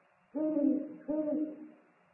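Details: Two deep, resonant hoots, the first longer and the second clipped, from an eagle-owl at its nest on 3 March 2019, while the father delivers food and the birds exchange calls.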